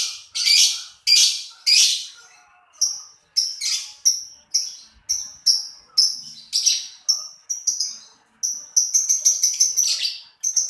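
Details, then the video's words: Lovebird singing a string of sharp, high-pitched chirps repeated about every half second, building into a rapid, twittering run of squeaky notes near the end. "LoveBirt_Bunyi suara burung"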